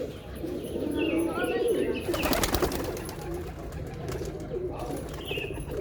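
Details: Soft throaty coos from pigeons open the recording, then a sharp burst of clattering noise around the middle before the low murmuring resumes with faint chirps.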